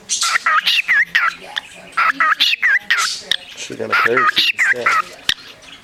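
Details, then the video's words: Shelter parakeet, filmed 29 March 2010 and described as beatboxing, chatters in fast squeaky chirps and looping whistled notes; a person speaks softly in the background partway through. "Beatboxing Bird"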